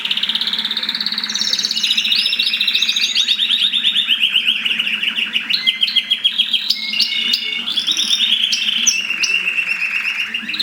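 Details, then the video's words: Mosaic canary song during mating, a long, loud, continuous run of high rolling trills that shift from one rapid repeated note to the next, with sliding whistles and a few sharp clicks near the end. "تزاوج طيور الكناري المزييك"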